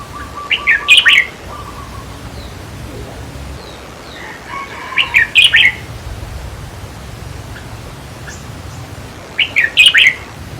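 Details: Red-whiskered bulbul during decoy trapping, played to excite caged birds: three cheerful phrases of four or five fast, bubbly chirps, spaced about four and a half seconds apart, with faint steady tones in the background.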